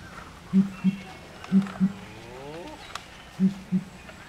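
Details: Australian pigeon calling in mating season: low, soft hoots in pairs, each pair about a second or more apart, three pairs in all, with a faint sweeping whistle between them.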